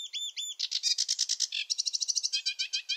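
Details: Wetland sedge warbler singing: two paired whistled upslurred notes open, then quick harsh chattering phrases switching pitch, ending in a fast rhythmic series of rasping notes.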